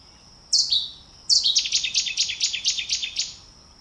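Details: Cetti's warbler (Cettia cetti) singing: a single sharp high note, then a sudden explosive burst of about nine loud, rapid, repeated metallic notes lasting two seconds, with a quiet background.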